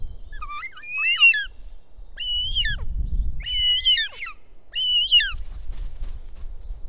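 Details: Young Bonelli's eagle in the nest, Ports Natural Park, Catalonia, 19 June, calling for its mother's help with a toad brought by the father before the female feeds it. Four bursts of ringing, wavering, downward-bending squeals, evenly spaced, with a soft low rumble behind.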